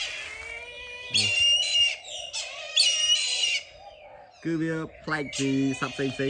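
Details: Brahminy kite in a cage: a series of high, thin, strained wailing cries, likened to a child crying, fills the first half, followed by a man talking.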